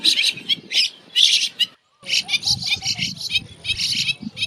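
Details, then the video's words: Bank myna recorded in a neighborhood in the northern plains of India, giving rapid grating chirps and squawky notes in clustered bursts, broken by a short silence, then resuming in quick uneven volleys. "Bank Myna Chirping Sound - Bank Myna Calling Sounds"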